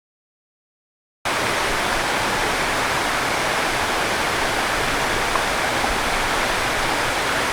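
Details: After about a second of silence, a steady loud rush of flowing water fills the rest of the recording, with no animal calls.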